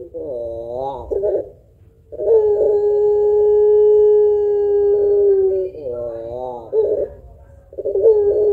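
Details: Frequently singing puter pelung dove, prized for its long call and thick 'kuwok', used as a singing lure: wobbling throaty coo notes, then an unbroken low coo held about three seconds, more wavering notes, and another coo beginning.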